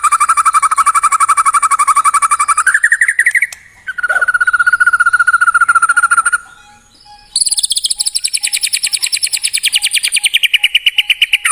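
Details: White-rumped shama song meant to get a pet bird singing along: long rapid trills shifting pitch, a steady whistled trill, a pause, then a high fast trill sliding downward.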